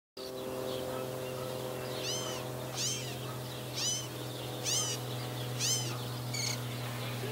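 Northern mockingbird singing short, varied squeaky and mewing phrases, roughly one a second, over a steady low mechanical hum.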